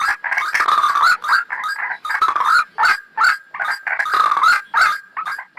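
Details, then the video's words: Ruak-ruak, the white-breasted waterhen, in a lure recording for trapping birds: rasping, grunting notes come in quick, uneven bursts, several per second, with brief gaps between groups. "PIKAT RUAK RUAK paling LENGKET | Suara Pikat Burung"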